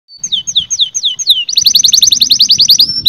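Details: Canary song intended to excite males and females into mating: a run of descending whistled slurs about five per second, then a faster, brighter rolling trill of repeated notes.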